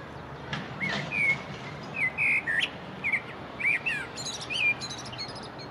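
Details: Common blackbird singing in spring beside the Long Water: mellow fluted phrases of clear whistles, some rising and falling, ending in thin high twittering flourishes, with soft background hiss.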